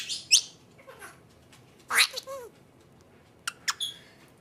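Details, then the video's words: A female Senegal parrot, on her first time with the camera, produces harsh, raspy word-like bursts and squawks in three short groups over about four seconds, reportedly saying "Vrockypoo". "Senegal parrot talking"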